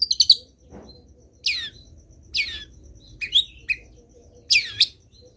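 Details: Long-tailed shrike singing a varied training song for other shrikes: a quick chattering burst, then separate sweeping, down-slurred rasping notes and a short twittered phrase with pauses between, over a soft steady background hum.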